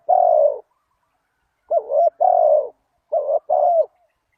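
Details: Spotted dove coos used for luring wild doves: a single long mellow note, then two paired phrases of a short warbled coo followed by a longer steady one, against a quiet background.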